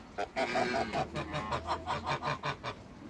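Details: African geese, a pair in a backyard. A quick run of about ten short, nasal honks, evenly paced several per second, each clipped and slightly rising, like excited chatter.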